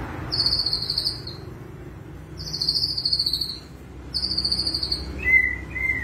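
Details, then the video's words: White-rumped shama singing cililin-style phrases: high thin trilled phrases repeated about every two seconds, ending with a few lower whistled notes, over steady background noise. "murai batu gacor isian cililin"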